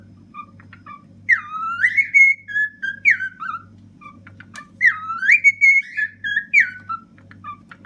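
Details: Pet cockatiel, a ten-year-old male, singing happily atop a fridge indoors: two bright phrases, each opening with a swooping upslurred whistle and trailing into shorter falling notes, separated by quiet chirps and a constant low droning hum.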